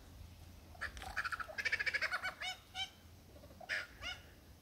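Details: Male superb lyrebird in the Dandenongs singing to a female, a mixed repertoire: a burst of rapid ringing notes repeated about three times a second, then separate buzzy and rising phrases; low hum underneath.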